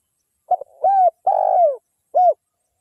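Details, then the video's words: Spotted dove, a lively local wild bird, used as a lure for other doves: a brief stuttered note, then two mellow slurred coos, the second longer and falling at its end, followed by a short final coo, in a quiet setting. "SUARA TEKUKUR GACOR LOKAL ALAM PANCINGAN SEMUA BURUNG TEKUKUR LANGSUNG EMOSI"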